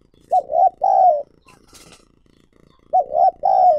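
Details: Lure spotted dove calling to attract wild doves: two loud cooing phrases, each of short arched coos followed by a long drawn-out note falling at the end, separated by a brief pause.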